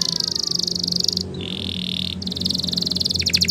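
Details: Spanish Timbrado canary training song with background hum: a dense rolling trill, a brief lower steady whistled tone, then the rapid trill resumes and ends in quick descending notes.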